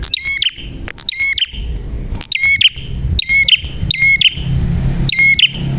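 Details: A prinia in full song with a clear voice gives bright, snapping two-part chirps followed by thin high trills, about six phrases spaced roughly a second apart, with a soft low hum underneath.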